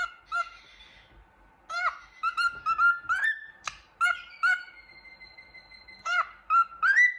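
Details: A cockatiel at a mirror whistles happily, mixing brief sharp chirps with short warbles and one long steady whistled note, the phrases broken by short pauses.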